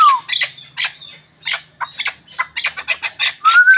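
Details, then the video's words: Short run of hoarse, clipped clucks from a Pamir hunting chukar, irregularly spaced, with a smooth whistle fading at the start and rising again at the close. "Кабки Помир шикори"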